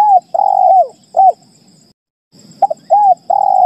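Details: Spotted dove cooing in mellow, hollow notes, some drawn out, some short with a falling end, in two bursts, a call meant to draw responses from other doves; a faint steady high whine runs underneath.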